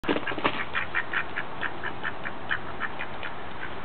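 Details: Two male mallards begging for birdseed at a house's back door in spring give a steady run of short, soft quacks and nasal calls, about three or four a second, over a low background rumble.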